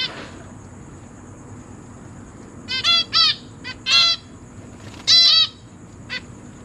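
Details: Captive zebra finches, a pair raising three juveniles and three newborn chicks. After two quiet seconds, a series of short, bright nasal calls follows, five or six in all, irregularly spaced.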